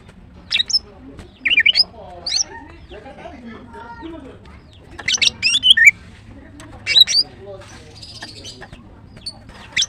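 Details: Morning singing from a female greater green leafbird, with spaced bursts of high, sharp chirps and twisting squeaks, and softer lower warbled notes between them.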